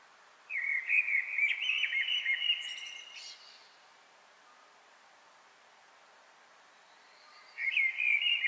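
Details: Eurasian Blackbird singing in a reverberant apartment courtyard in Paris, a rich warbled phrase of about three seconds ending in higher squeaky notes, with echo; after a pause, a second phrase begins.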